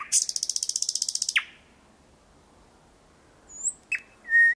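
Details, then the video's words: Thrush nightingale heard from 4 to 5 metres in Kiili parish at 01:23 on 8 May 2020. A rapid high rattle ends in a steep downward sweep, followed by silence and then short pure whistled notes. "Ööbik väga lähedal laulmas"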